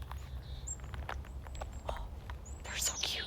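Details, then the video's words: Black-capped Chickadees chatter close by in a conservation area with water, fields and forest on a sunny spring day: thin, very high notes and a few sharper chips, with a person speaking over soft outdoor noise. "There are some very chatty chickadees right here. Oh. They're so cute."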